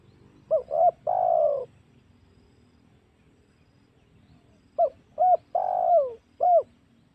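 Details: Lure call of the spotted dove, meant to draw wild doves for hunting: paired short coos followed by a long, sliding, falling coo and one last short note, repeated twice with a pause between, quiet background.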